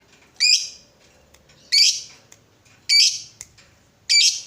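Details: Lovebird, a fighter-type bird used as a lure to stir other lovebirds into long ngekek singing, giving four loud harsh chirping squawks about every 1.2 seconds, each a short burst over faint low background hum.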